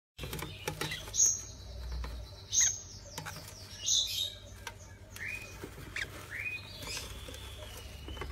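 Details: Young hand-fed lovebird chicks (Agapornis) give sharp, high squeaky calls every second or so, some rising, over a low background hum and soft rustling.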